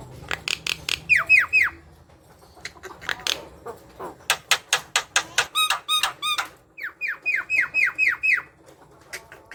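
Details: Javan myna in lively chattering song, used to prompt other mynas to sing: bursts of harsh clicks alternating with quick runs of downward-slurred whistled notes, repeated in sets of four to six.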